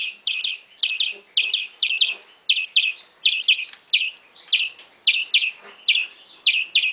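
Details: A European greenfinch nestling begs with rasping, high double chirps repeated in a steady rhythm about twice a second, some notes paired closely together.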